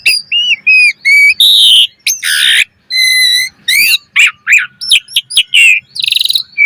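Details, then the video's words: Gacor mompa song of an Asian pied starling, full of variety: repeated short whistles, harsh grating blasts, pure tonal notes and sweeping slurs, ending in a fast buzzy rattle, over a faint low hum. "Suara Jalak Suren Gacor Mompa Full Variasi"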